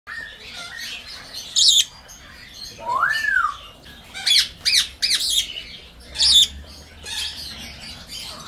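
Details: Senegal parrot, a small pet parrot, calling: loud harsh squawks in short bursts mixed with a clear rising-falling whistle and softer chatter, in a quiet room.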